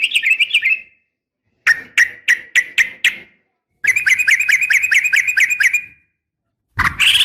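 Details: Female yellow-vented bulbul fighting call, meant to call males and prompt bulbuls to answer; sharp, chattering notes in three quick bursts, then a harsh rasp at the end.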